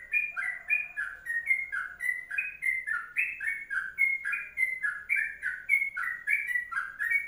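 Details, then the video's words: Long kongslet song of a sooty-headed bulbul: evenly paced, rich gurgling two-part phrases sliding between pitches. A faint buzzy tone sounds briefly near the start. "Masteran Trucuk Kongslet Panjang"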